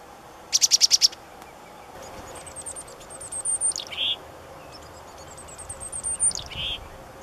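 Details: Black-capped chickadee opening with a fast burst of six buzzy notes, followed by thin high whistles and short chirps from other birds in the background.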